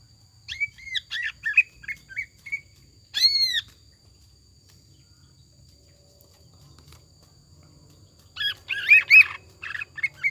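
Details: Greater green leafbird lure song, jamtrok style with tengkek buto imitation: a run of quick twisting whistled notes and one arched call, then a long silence before a dense chattering burst.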